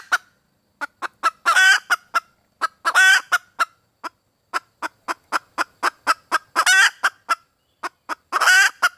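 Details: Calling for a mate, a female red junglefowl utters rapid runs of short, evenly spaced clucks, with four long, buzzy, wavering squawks woven in at irregular intervals.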